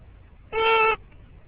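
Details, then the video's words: A male green-winged macaw riding in the car on the morning school run says a single short, flat, voice-like word under half a second long, against a low background hum. "Green Wing Macaw Parrot Talking"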